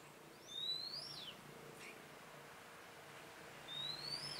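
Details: Decoy red-whiskered bulbul singing while wild birds are trapped, 27 October 2017: a high, thin whistle rising steeply and then falling away, repeated after about three seconds, with faint background hiss between phrases.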